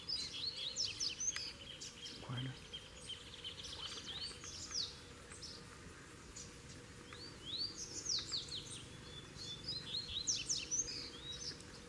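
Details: Double-collared seedeaters, a caged bird and a free wild one, trade repeated bursts of fast, high, downward-slurred whistled notes across the recording, with clicks and light background noise.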